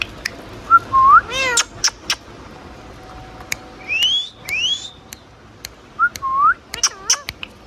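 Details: Pet Indian ringneck parakeet chirping: curved whistled chirps that rise and fall, a pair of high upslurred whistles midway, and a short harmonic chatter at the end, with scattered clicks.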